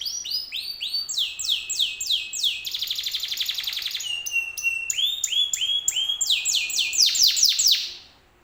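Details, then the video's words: Loud, varied canary singing used as a lure so other canaries reply: rapid series of looping whistled notes, a dense rattling roll in the middle, then more swooping repeated syllables and a final burst of downward sweeps before fading. "PANCINGAN BURUNG KENARI 100% IKUT NYAUT"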